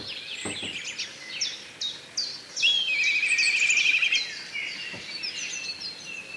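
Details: Black kite giving a quavering, wavering whistle that holds level for over a second, set among many short, sharp chirps from other small birds.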